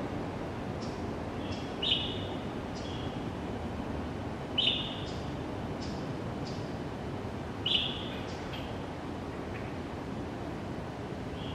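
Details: Dawn calls of a pale thrush at a school in Zhongli District, January 2015, Canon PowerShot SX700 HS: three sharp, high, drawn-out tseee notes spaced about three seconds apart, fainter thin notes between, constant low traffic-like hum.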